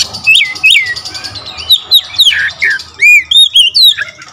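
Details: Oriental magpie-robin singing clear, loud whistled notes that swoop down and arc up, one after another in quick succession, mixed with brief buzzy chips over a soft background hum.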